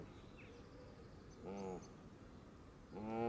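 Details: Flock of Canada geese come in to feed at the water's edge on green grass, close to the camera: two strong, nasal honks about a second and a half apart, with faint higher chatter and low background noise.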